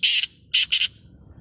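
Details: Black francolin calling with three loud grating notes: a longer first note, a pause, then two quick harsh notes close together. The background is quiet.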